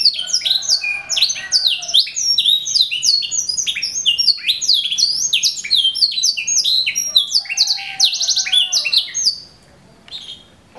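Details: Contest-winning canary of the semi-tutored song class, kept in a cage in Indonesia: dense, fast tumbling trills and sharp chirps with a few lower warbles, running for about nine seconds before falling quiet.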